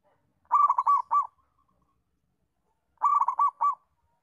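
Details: Local zebra dove cooing as training and lure material for learner doves: two phrases, each a fast rolling run of coos followed by a distinct closing note, roughly two and a half seconds apart, on a silent background.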